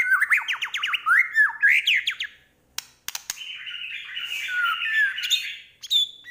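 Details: White-rumped shama from Medan singing full, varied song: rapid rising whistled sweeps, a brief pause with sharp clicks, then a long warbling mimicking run ending in a high note.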